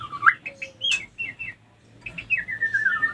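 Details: Female white-rumped shama lure for triggering mating readiness in other females: short clipped whistles and a low tone, then a long wavering descending warble.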